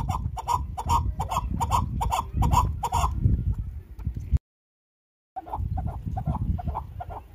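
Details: Repeated rhythmic calls of a chukar partridge, clear harmonic cluck notes in a regular chain of about two to three per second, tapering off, then a second shorter run after a silent gap.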